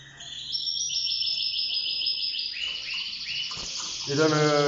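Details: Caged yellow-orange Mosaic canary during breeding, with four eggs in the nest, singing: long runs of fast, high, evenly repeated trilled notes, then a few lower swooping phrases, ending in a harsh, buzzy, layered burst.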